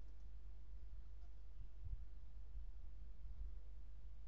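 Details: Near silence with only a faint low rumble and a few soft thumps. No calls are heard.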